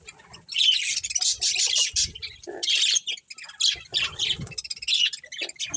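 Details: Budgerigars chirping in a colony with a breeding pair, bursts of high, harsh chattering notes broken by short gaps, plus occasional lower squawks and soft rustling.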